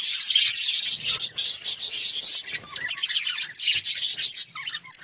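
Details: Budgerigar warbling, scratchy and fast. At first it is a dense twitter, then it breaks into separate chirps and clicks with short gaps.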